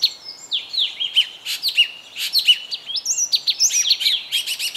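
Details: Yellow tit, captured on a Canon EOS 7D, giving a busy stream of high chirps, downward-sweeping whistles and short buzzy phrases, densely repeated with little pause and no other sounds evident.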